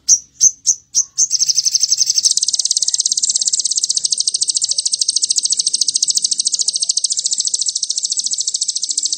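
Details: Provoking crimson sunbird lure: four spaced sharp high notes, then a sustained, very fast, high-pitched 'cililin' trill that runs on for about eight seconds, steady and insistent.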